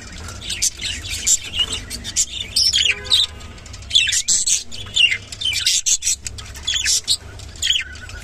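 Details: Rainbow budgerigar giving rapid, buzzy warbles and sharp chirps in quick clusters throughout, with a faint low background hum.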